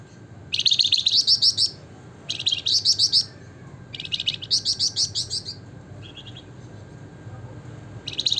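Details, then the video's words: Javan fulvetta, locally called flamboyan or wergan jawa, singing vigorously in the gacor nembak ngebren nyiul style: bursts of rapid, high, buzzy trilled notes lasting about a second, separated by short pauses, over a faint low hum. "flamboyan gacor nembak ngebren nyiul - wergan jawa/Javan fulvetta (Alcippe pyrrhoptera)"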